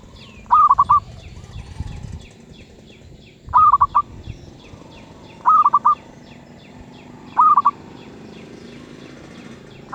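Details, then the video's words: Zebra dove (merbuk) with a medium-pitched voice, giving four short stuttering, rolling coo bursts spaced roughly two to three seconds apart, over faint background chirping and low rumble. "Merbuk suara sedang"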